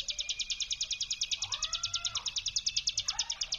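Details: Brem trill of a hill prinia used as a lure sound to provoke other prinias. It is a rapid, regular series of high buzzy pulses held throughout, with faint lower twittering from other birds underneath.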